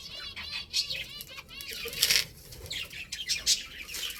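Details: Baby chickens playing, giving a run of high arched chirps in quick succession, then scattered sharper peeps and fluttering noises among several birds calling together.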